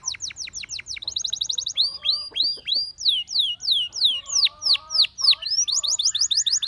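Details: Gloster canary in full song, mixing fast rattling trills with long runs of sharp descending whistled notes repeated about twice per second, then a quick high trill to close.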